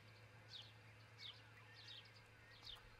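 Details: At a Charlo, Montana nest, an osprey calls during the early morning of 22 June 2018 on a nest camera. Four high, descending chirps arrive at uneven intervals over a faint steady hum.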